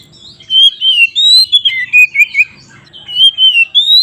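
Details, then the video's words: {'caption': "Oriental magpie-robin in fighting condition, singing the 'ngeplong' style meant to make other magpie-robins aggressive. Long, drawn whistles glide up and down, followed by short lower warbled notes, with a faint low hum behind."} "suara BURUNG Kacer GACOR ngeplong KONSLET Tarung"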